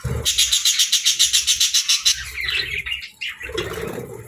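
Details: Cheerful budgies give a fast run of about eight scratchy chirps per second, then break into softer, wandering warbled chatter.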